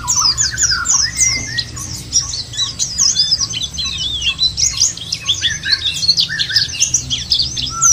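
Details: Lure recording to set white-eyes singing; dense, fast, very high twittering from overlapping birds, a couple of lower whistles early and late, and a faint low hum.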